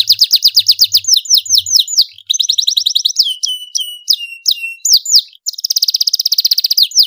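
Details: Loud domestic canary song used as a tutor for young birds: fast repeated downslurred notes, a buzzy trill, varied swooping and whistled phrases, a short gap, then a long rapid trill of even pulses.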